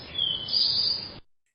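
An Eastern Towhee sings a clear whistled opening note that runs into a higher, rapid buzzy trill, all in about a second; nothing else is heard.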